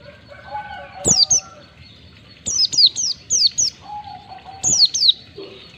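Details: Oriental white-eye recorded for caged-bird training, ngalas style with one to two beats. High slurred-down notes come in rapid clusters of two to four, with softer lower whistles and faint background hiss.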